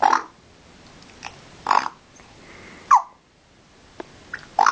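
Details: Parrot mimicking a pig, giving short isolated grunting oinks every second or so, one ending in a quick falling squeak, with faint clicks between them in an otherwise quiet indoor setting.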